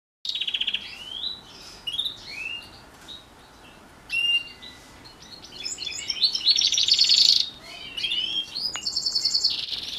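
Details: Housefinch x canary hybrid singing during morning training: varied twittering phrases of rising and falling whistled notes, then a long buzzy rolled trill near the end, with short chirps between phrases.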